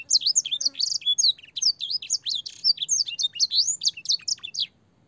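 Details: Clear, long canary training song with blackthroat and sanger fill, for young canaries. Fast bright whistled sweeps and brief buzzy trills pour out continuously, then stop abruptly near the end leaving quiet.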